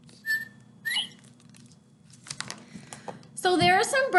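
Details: Northern Bobwhite, a plump, round ground bird of fields, farms and meadows, gives a clear two-part whistle, a short level note then a louder rising one, in a quiet room before a woman starts speaking.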